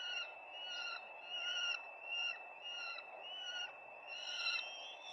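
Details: Peregrine falcon at its nest on 4 May 2025, giving harsh, drawn-out wailing calls, about eight in five seconds, each a raspy half-second note, over steady background hiss.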